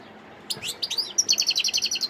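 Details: Song of a European goldfinch from Sidi Bel Abbès, Algeria, recorded 17 December 2021: scratchy high notes give way to a fast, regular series of bright, tinkling chirps repeated about eight times a second.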